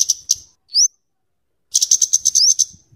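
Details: Scarlet-headed flowerpecker (kemade, cabe cabean) singing for luring and tutoring birds: two sharp high ticks, one rising whistle, then a dense rapid train of very high chattering ticks with an upslur inside.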